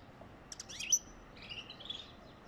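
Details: Goldfinch song for encouraging mating: a rapid sequence of high, thin, sliding twitters, with one louder bright note near the start and softer trilled notes following, over a quiet background.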